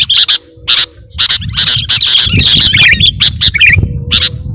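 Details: Loud sooty-headed bulbul calling for luring birds: sharp, bright chirps in spaced bursts, then a tumbling run of bubbly notes, ending with a single sharp call, over low rumbling background.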